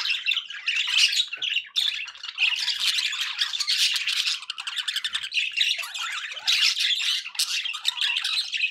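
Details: Continuous scratchy chatter from pet budgerigars, mixing buzzy squawks with rapid chirps, high and busy throughout, with only a short break near the start.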